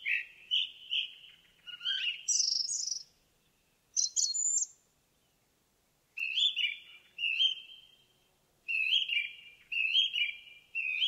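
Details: An indigo bunting sings in the forest, giving several phrases of sweet, slurred whistles, some paired and some sharply rising, separated by short quiet pauses, with the later phrases made of quick repeated notes.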